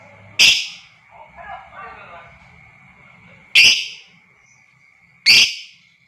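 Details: Lovebird, recorded to provoke other lovebirds into long ngekek, gives three sharp, harsh shrieks at irregular gaps; a soft low murmur and rustle sit between the first two, with a steady faint whine throughout.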